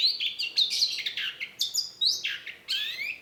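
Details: Long-tailed shrike, a songbird kept for singing, delivering a dense, varied song of high chirps, sharp upslurred notes and descending whistled slurs in rapid succession, with no other sounds.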